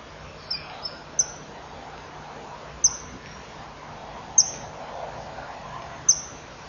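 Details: Common kingfisher pair at nest burrow, 26 May 2015 at 12:36: male flies out, female behind; they chip to each other for half a minute before mating—sharp, very high thin whistles, single or paired, every one to two seconds over soft hiss.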